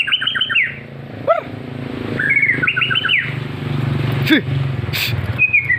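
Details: White-rumped shama singing actively, from Lampung, Indonesia: bursts of quick, bright whistled trills in two phrases, a single upslurred note, then a falling whistle at the end, over a steady low engine-like rumble.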